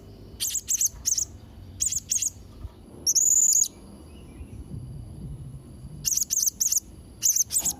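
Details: Blue-crowned hanging parrot (serindit trotol), singing actively, recorded to train young or molting birds: clusters of very high, thin squeaky chirps in quick pairs, one longer buzzy shrill note midway, then more chirp groups, against a quiet low hum.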